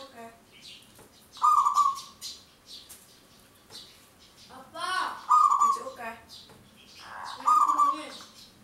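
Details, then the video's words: Vigorous local zebra dove long song, meant to lure birds into traps: three loud coos about two to three seconds apart, mixed with background chatter and faint other sounds. "Perkutut lokal gacor manggung suara panjang"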